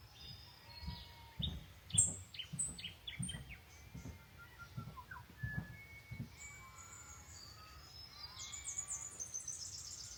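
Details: Birdsong at a lakeside cabin: a lively run of quick high chirps and falling whistles, then softer twittering and rising trills. Dull low thuds are heard beneath.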